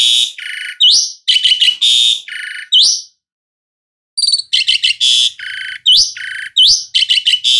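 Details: Asian pied starling (jalak suren) delivering loud alternating harsh buzzy blocks and upward-sweeping whistles, a one-second pause, then the same mix of rasping bursts and rising whistled notes.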